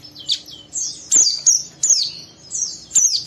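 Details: Young oriental white-eye in full song, rough ngeriwik style, aimed at prompting another bird to sing. Shrill, falling chirps come in quick uneven bursts, about three per second at peaks.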